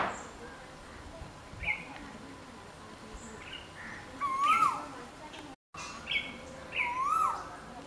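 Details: A yellow-footed green pigeon gives mellow, fluty whistles that rise then fall, in two phrases about two and a half seconds apart, over faint chirps and steady background hiss.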